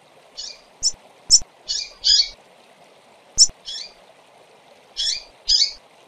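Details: Female double-collared seedeaters calling: high, thin chirps and short buzzy notes in irregular bursts, some single, some paired, with faint clicks and a steady low hum underneath.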